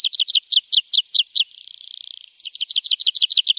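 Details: Javan bush lark song used as a training recording for young caged birds: rapid, high, looping whistled notes in quick runs, broken midway by a brief buzzy trill, then more fast repeated loops.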